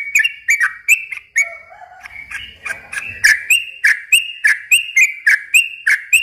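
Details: Yellow-vented bulbul lure song for young birds. Bright chattering notes roll on steadily, briefly broken after the first second by a soft low whistle and some low rumbling, then resume at about four per second.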